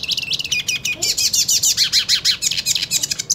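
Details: Hooded siskin, purebred, singing aggressively toward another of its kind: rapid high notes repeated about three times a second in a steady, scratchy twittering run.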